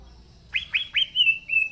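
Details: Green leafbird giving three clear swooping whistles that curve upward, then a longer level whistled note trailing into a slightly lower tone.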